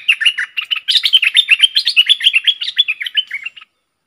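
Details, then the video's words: Decoy bulbul, recorded 22 August 2021, giving a loud, fast chattering song. Short bubbly notes are repeated about three times a second in a continuous run of roughly three and a half seconds, with a clean background. "เสียงนกดอกแตงEp.73 นกต่อสายโหด"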